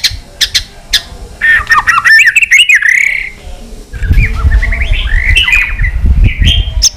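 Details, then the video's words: White-rumped shama singing a many-voiced fighting song meant to provoke rivals: varied warbled and slurred whistles with clicking notes, accompanied by a low rumbling background noise in the second half. "chòe lửa hót nhiều giọng kích bổi hót đấu"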